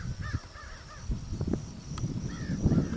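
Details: Soaring American crows call with a few short, raspy caws early and again near the end, over strong low wind noise with scattered knocks.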